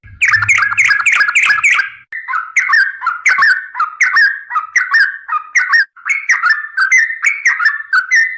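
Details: Trucukan, the yellow-vented bulbul, delivering a long, energetic run of warbled, rising and falling chirpy notes, a fast chattering start easing into evenly spaced bubbly phrases about every half second, recorded clean and close.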